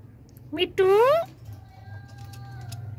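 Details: Indian ringneck parakeet kept as a pet, said to speak Urdu/Hindi, gives a loud drawn-out upslurred harmonic-rich vocalisation after a brief squawk indoors, followed by a faint steady tone and low background hum.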